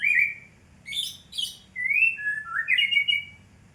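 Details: A fighter white-rumped shama delivers long clear whistles, some rising, one falling, interspersed with two brief harsh buzzy notes, in a quiet setting.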